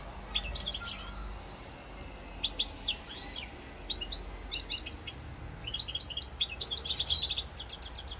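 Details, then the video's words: European goldfinch of the rosse corse type singing on 7 November 2022: clusters of bright, tinkling, high chirps and twitters in irregular bursts, with quieter gaps between phrases. "chant chardonneret rosse corse"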